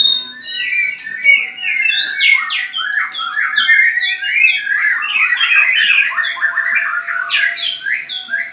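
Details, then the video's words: White-rumped shama song during a mental test between a ringed bird and an MH bird: continuous loud cascade of clear whistled phrases, quick upslurs and downslurs tumbling together, ending in a sharp high sweep. "Tes Mental Murai Batu Ring VS MH"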